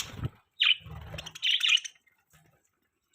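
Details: Morning chirping from pet budgerigars: one sharp chirp, then a low rumbling noise, followed by a dense cluster of bright chirps, then near silence.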